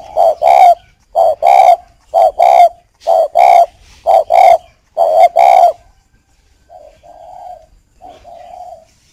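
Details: Caged breeding spotted dove, called chim cu khách, in Ba Vì, Hanoi, northern Vietnam, cooing at a female: eight loud paired coos roughly once a second, each a short note then a longer mellow one, followed by two softer coos.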